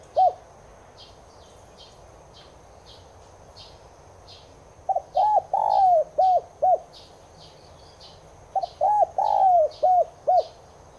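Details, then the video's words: Repeated cooing of a Spotted dove, subspecies tigrina, played so caged doves coo along: an opening single note, then two complete phrases about four seconds apart, each a stutter, two long coos and two short notes, under steady high ticking chirps. "NẾU CU GÁY NHÀ BẠN [ YẾU LỬA ] KHÔNG GÁY THÌ HÃY MỞ VIDEO NÀY LÊN ĐẢM BẢO CHIM NHÀ BẠN GÁY THEO NGAY"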